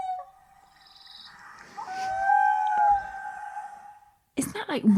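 A long, mournful Common Loon wail holds one pitch for about four seconds, lifts briefly, then fades; people start talking right after.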